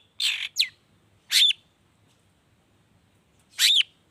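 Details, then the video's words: Long-tailed shrike (cendet) lure recording, gacor 'toet toet' style, for prompting other shrikes: a scratchy double note followed by two separated harsh notes ending in sharp downslurred whistles, with faint low background rumble. "pancingan cendet gacor toet toet variasi sangat jitu dan mudah di tiru cendet manapun supaya bunyi"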